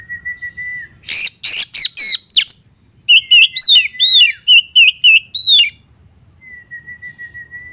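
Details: Female Oriental magpie-robin calling the male: a steady whistle, then a burst of loud raspy notes, a quick run of about ten repeated chirping whistled notes, and long whistles again at the end.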